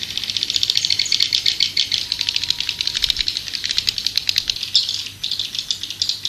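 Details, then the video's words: Swiftlets giving a dense, continuous rattling twitter of rapid clicky pulses, high-pitched and buzzy, with brief louder bursts throughout and a faint low hum underneath. "Suara Burung Walet"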